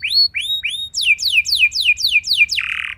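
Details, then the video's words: Canary song used to coax other canaries to sing: three rising whistled notes, then six fast downward-sweeping notes, closing on a harsh buzzy burst. "Pancingan Ampuh Bikin Gacor Do0r Langsung Nyaut Burung Kenari Lain Segala Kondisi!"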